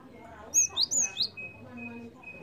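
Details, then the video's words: Java sparrow call used to lure birds: four sharp, high chirps in under a second, the notes sliding down, over a faint steady tone. "PANCINGAN BUNYI BURUNG GELATIK"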